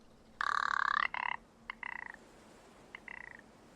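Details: Rock ptarmigan giving a dry, croaking rattle: one long rasping burst, then three shorter ones trailing off, over a quiet background. Alpine rocky habitat around 1700 m on a north-facing slope in the Écrins National Park, during an early-morning count.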